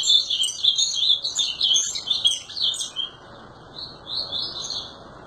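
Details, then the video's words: Ultramarine grosbeak (azulão) singing a fast, warbled run of high chirping notes for about three seconds, a short pause, then a softer warbling phrase near the end. "Azulão TERRORISTA Destruindo"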